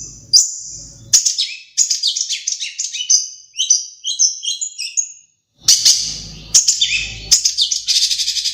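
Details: A Madura long-tailed shrike delivers a busy, varied song with sparrow and Java sparrow imitations. It is a tumbling stream of squeaky, twittering and buzzy notes, broken by a brief pause and ending in fast trills.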